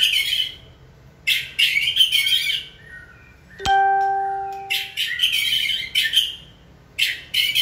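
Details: White-rumped shama being trained to sing on cue: three loud bursts of rich, buzzy warbling separated by pauses, with a single plucked string-like note ringing out between them.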